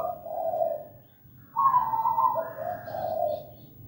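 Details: Local zebra dove singing energetically, a soft warbled low coo followed after a pause by a higher, rolling, bubbling phrase that steps back down into mellow coos; faint low background hum.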